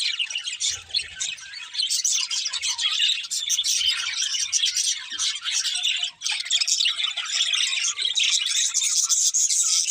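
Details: Budgerigars kept as a pair, chirping in a loud, unbroken stream of scratchy, twittering warble and high squeaks, with a brief dip near the six-second mark.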